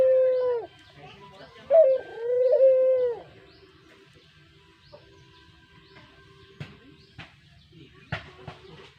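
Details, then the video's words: A brown puter dove, kept as a pet for use as a lure, gives two throaty coos in the first three seconds, a short note then a sliding croon. Near silence follows, with faint clicks and taps. "Suara Merdu Burung Puter Coklat, Cocok Buat Pancingan"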